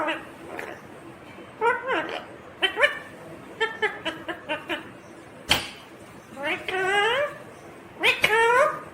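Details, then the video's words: Talking green ringneck parrot giving a series of short raspy, harmonic speech-like phrases with rising and falling inflections, separated by brief pauses, with one sharp click midway. "Natural Sound of Talking Ringneck green parrot"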